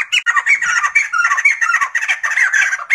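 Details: Raucous Sumatran laughingthrush chatter: an unbroken stream of harsh, squawky, laughing notes, fairly even in loudness throughout.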